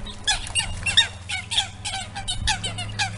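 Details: Eurasian coots clash over a pond territory after an intruding family with three nearly adult chicks arrived; short, sharp squeaky notes in quick irregular groups, with a few clear higher pips, over a persistent low hum.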